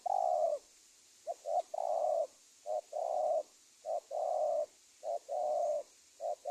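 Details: Spotted dove call played to lure wild doves for trapping, Indonesia: brisk series of low coos, short note then a longer even coo, repeated nearly every second, faint background hiss.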